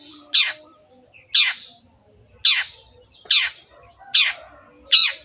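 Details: Long-tailed shrike singing energetically, used as a lure for birds to sing: six rasping, downward-slurred notes about once per second, with a brief whistle between the first ones.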